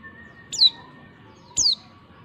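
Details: Female white-eye, used as a lure to prompt males to answer, gives two thin, high, down-slurred 'tsee' notes about a second apart over faint steady background tones.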